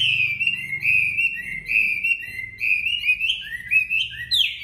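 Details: Tamed Chinese hwamei kept in a cage in Hanoi, Vietnam, delivering competitive song: a continuous stream of loud, varied whistles with rolling, slurred phrases that climb higher toward the end, over a faint low hum.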